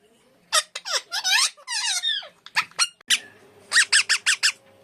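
An Alexandrine parakeet gives a burst of harsh, squeaky screeches and chattering notes, ending with five quick shrill shrieks in a row over a faint low hum.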